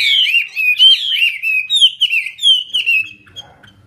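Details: Hwamei in full fanned-tail song with an eagle-wing display: a rapid, continuous run of bright, looping whistles sliding up and down, ending in a softer trailing note.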